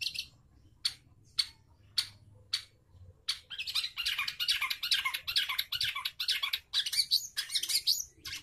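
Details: Long-tailed shrike singing actively, used as a lure to restart a silent bird: spaced single rasping notes every half second, then a dense continuous stream of harsh, scratchy, buzzy squawks.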